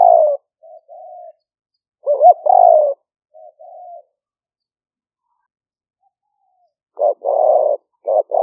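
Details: Live smartphone recording of a decoy spotted dove in liu fueang style at a rice-field camp in Roi Et, Thailand, rainy season 2021: soft hums, a loud looped and burry coo phrase, a long silence, then harsher coos resuming.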